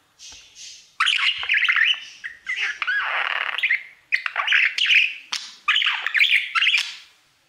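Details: Pet budgerigar, a single caged male, singing to his mirror indoors; a busy scratchy warble of chirps, squawks and buzzy chatter in bursts of one to two seconds, with short pauses between phrases and no other sounds.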